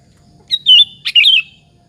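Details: Kutilang lure song aimed at provoking rival bulbuls to reply; two lively warbled phrases half a second apart, each a clear descending whistle-like note with bubbly chirps, over faint low hum.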